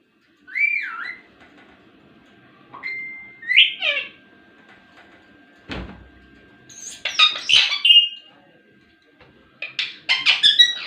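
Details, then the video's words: Talking ringneck parrot mixes a warbling whistle, a flat held tone, a sharp click, bursts of noisy chatter and a final series of quick stuttering notes, with pauses between, in a quiet room. "talking parrot | full video | ringneck parrot"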